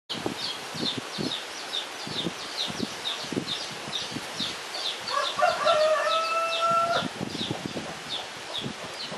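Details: Red-rumped cacique filmed near the Corredeiras do Rio Itajaí private reserve, Itaiópolis, Santa Catarina, Brazil, giving rapid, scratchy clicking notes about four a second, with a drawn-out, nasal, steady-pitched note midway that may be a rooster crowing nearby.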